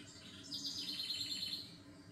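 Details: Songbird heard for relaxation: a sharp high note opens a quick series of rhythmic trilled pulses, around eight per second, fading after a second, with a quiet background hum.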